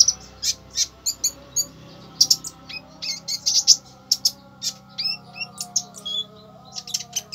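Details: Konin in fierce song: high, sharp chirps and short whistled slurs repeated in lively irregular runs, over a soft continuous low hum.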